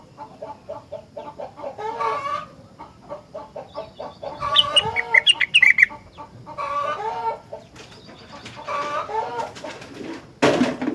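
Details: Rengganis in lively song said to prompt other rengganis to join in: trains of rapid clipped chattering notes, with bright, loud, whistled flourishes in the middle and a sharp noisy burst near the end.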